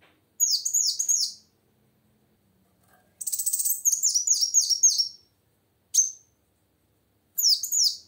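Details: Female plain sunbird singing, used to prompt silent males into song: bursts of very high, thin, rapidly repeated downslurred chirps, about a second or two each, separated by silent gaps.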